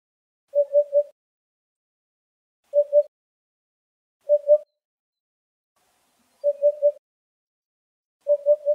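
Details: Eurasian hoopoe (Upupa epops epops) in Greek nature, which forages by probing soft soil with its long bill, gives its soft, hollow 'oop-oop-oop' in groups of two or three low notes, repeated about every two seconds against a quiet background.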